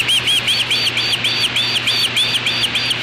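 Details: Juvenile osprey at its natal nest on 8 August 2013, 3:15 pm, repelling an intruder, apparently a black vulture, gives a rapid run of shrill, arched whistled notes, about three per second, with a faint steady electrical hum beneath.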